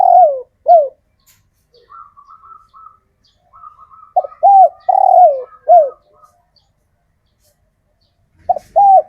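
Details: Local male spotted dove, wild-caught and kept, calling to attract females; repeated phrases of low, mellow arched coos with a short double opener, and a softer higher reedy bird twittering in between.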